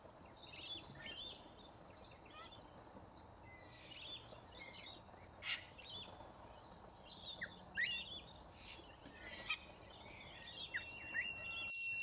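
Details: Large flock of corellas in Australia feeding from root grass; dense overlapping harsh screeches and chirps, with sharp broadband squawks around the middle and a thin steady whistle near the end, over a constant rural background hiss.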